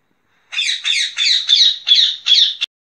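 A rose-ringed parakeet gives six harsh, raspy screeches in quick succession, about three per second, high-pitched and grating, with nothing else heard.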